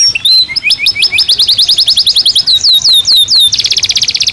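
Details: Caged canary song during breeding season: a rising series of chips, a fast trill, several descending whistles, ending in a very rapid buzzy trill.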